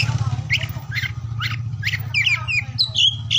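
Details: Oriental magpie-robin song to encourage quiet birds to sing: a few spaced whistled notes, then quicker sliding whistles at the end, over a loud low hum.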